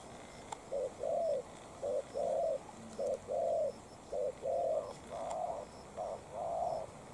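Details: Decoy spotted dove with a short tail facing off against a wild bird: paired low coos, a brief note then a longer hoarse one, repeated evenly through the recording.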